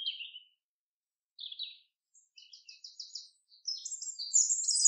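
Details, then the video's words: Common chaffinch singing in a forest: a few scattered high chirps, then a run of evenly repeated short notes that speeds up and climbs into a bright, high flourish at the end. "Bird sounds ~ Beautiful Song of the Chaffinch in the forest"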